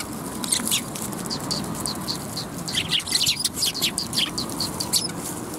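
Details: Sparrows at a Tenmangu shrine on the afternoon of 10 December 2021: scattered short, sharp high chirps from several birds, irregular and overlapping, over a steady low rumble of background noise.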